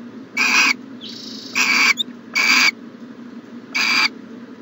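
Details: Nest-box owl on a January 2020 morning: four harsh hissing bursts at uneven spacing, with a quieter breathy hiss between the first two, over a low hum.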